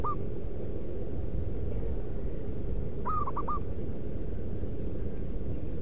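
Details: Zebra dove of a local wild strain, used as a lure to call wild doves: a single quick run of four soft staccato coos, preceded by a trailing note, over a constant low background hum.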